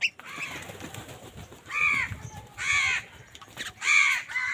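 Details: Crows squabbling over food: a run of short, harsh, nasal caws roughly one second apart, some overlapping, over low rustling background noise.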